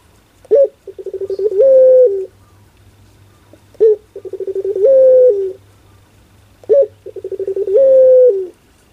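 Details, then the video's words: Barbary dove (puter) repeating its pelung coo three times: each a sharp opening note, a rising patter of short pulses and a long level coo falling at the end, roughly every three seconds; low hum throughout. "Suara LUCU PUTER Pelung"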